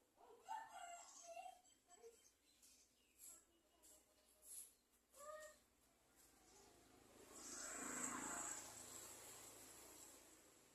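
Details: An Olive-backed (garden) sunbird chick, excited as its mother brings food, gives thin, high chirps in quick uneven bursts, then a few seconds of rustling, hissy flutter.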